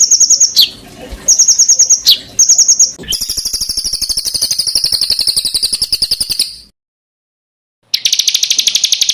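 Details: Songbird heard on a masteran recording used for training competition birds. Short high whistled trills come first, then a long, shimmering, rapid trill, then silence. A dense, buzzy burst ends the clip.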